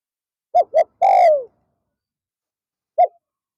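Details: Captive spotted dove used as a lure for wild doves in the afternoon. Two quick clipped coos lead into a long descending coo; after a pause one more short coo, all loud and near.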